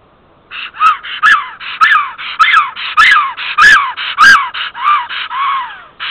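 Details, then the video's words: Female black stork Tiina at her nest in Estonia, 8 April 2014, 10:55, calling her mate who is late back from migration: a steady series of hoarse, arching wheezy notes, about two per second, with sharp knocking clicks between some. "Black Stork Nest ~ Tiina calling her mate who is late back from migration"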